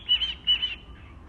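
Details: A pet cockatiel named Koko, which talks and sings, gives two bright, slightly warbling whistles in quick succession.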